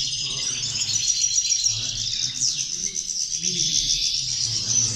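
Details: European goldfinches singing as a group: continuous high, sparkling twitter with occasional clear whistled notes and a brief downward slur, over low background rumble.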